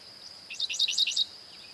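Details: Dickcissel from eastern North America singing: a brief burst of high chirpy notes in quick succession, with a steady high tone running beneath.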